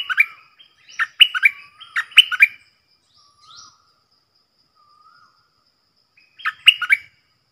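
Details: Decoy stripe-throated bulbul song for luring wild birds and teaching young ones: lively repeated phrases of rich, warbling chirps, a few soft low whistles in a gap, then another phrase.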